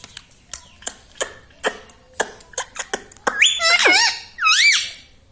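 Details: Pet parrot known for saying mummy papa: a series of dry ticking clicks, then two loud swooping, speech-like harmonic phrases indoors.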